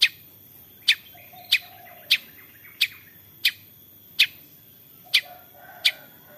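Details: Long-tailed shrike calling 'toet toet', used as a lure to make other shrikes sing: nine sharp, scratchy notes in a steady series roughly every two thirds of a second, with faint softer notes between.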